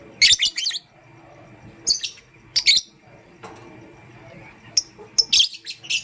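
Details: Lovebirds in pastel gray and green, heard in the morning, give rapid shrill high chirps in clusters, several bursts opening and closing the recording, with a quieter gap in the middle.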